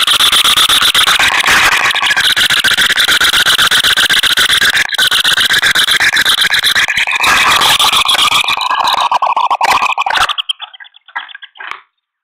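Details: Green wood hoopoe at a nest camera in Pretoria, South Africa, on April 21, 2023, where the female has her first chick: harsh, squealing chatter, rapid and continuous for about ten seconds, then scattered notes fading out.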